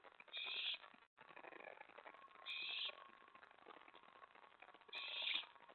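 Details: Owl at the nest around 1:15–1:20 AM, 24 May 2017, with mouse and rat brought in. Three raspy hissing bursts about two seconds apart, with a brief silent gap near the start.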